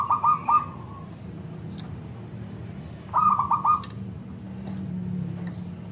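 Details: Local Indonesian zebra dove with a thick, crystal-clear voice, singing actively as a lure to draw replies from other zebra doves: two short bursts of four quick, throaty cooing notes, about three seconds apart, over a low background hum.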